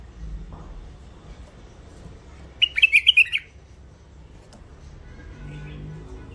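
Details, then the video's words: Hybrid finch (mule) with a thick-throated voice sings one short, rapid string of ringing chirps mid-way through an otherwise quiet indoor recording. "مخلف وحشي علوازي أول عزله حنجره ثخينه"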